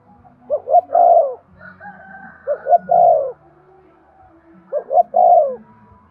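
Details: Cooing of a spotted dove used to spur males into cooing. Three mellow phrases come about every two seconds, each two quick short notes followed by one drawn-out falling coo, with a quiet low background rumble.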